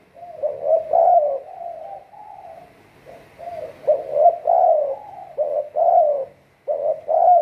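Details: Captive spotted dove kept as a decoy for trapping wild doves, calling in a series of mellow, hoarse coos, each phrase rising then sliding down, grouped in bursts with short pauses between them.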